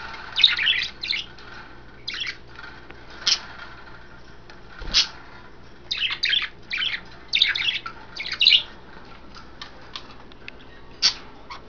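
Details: Caged pet budgerigars, five birds, the three females splashing in vegetables and a water dish, recorded 09.02.12; scattered clusters of squeaky chirps and short warbled phrases separated by quiet gaps, with one low thump midway.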